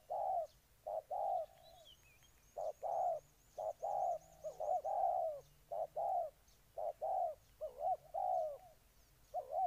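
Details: Ninh Thuận spotted dove from Vietnam gives a rapid sequence of low cooing notes, some wavering, at uneven spacing. A faint trilling, warbled high call from another bird runs in the background.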